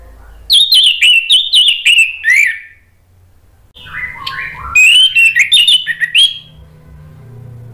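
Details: Orange-headed thrush song used as a lure to prompt a silent bird to sing: two bursts of rapid, varied whistled and warbling phrases with sharp high notes, separated by a short pause with low background hum.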